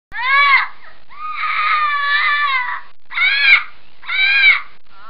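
Scarlet macaw giving four loud, harsh, wailing squawks in five seconds, one drawn out over more than a second. Nothing else is heard.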